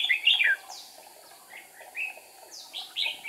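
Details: A decoy red-whiskered bulbul sings during trapping to draw in wild rivals. It gives a bright rippling phrase, then short slurred whistles rising and falling.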